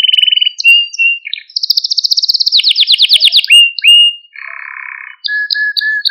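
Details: Canary training song to stimulate young birds: quick trills, a long fast high rolling tour, a low rattling buzz, and short repeated whistles at the end.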